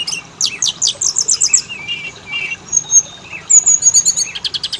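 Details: Kacer (Oriental magpie-robin) song in a lure for making males and females sing: loud repeated sweeping notes, a short warbled phrase, a thin high whistle, then quick repeated chips and clicks.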